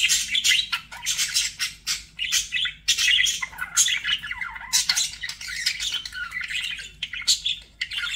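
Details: Pet budgies chattering in a dense, continuous stream of scratchy chirps and warbles, mostly high-pitched, with short bursts and brief pauses between phrases.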